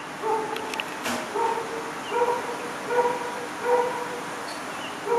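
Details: Visiting hornbill calling with repeated nasal, barking honks, roughly one every second, over steady background hiss and a few clicks.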